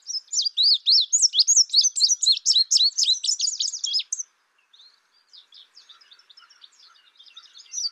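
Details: Indigo bunting giving a fast run of high, sharp, V-shaped chirps for about four seconds, then softer, thinner twittering from other birds in the background.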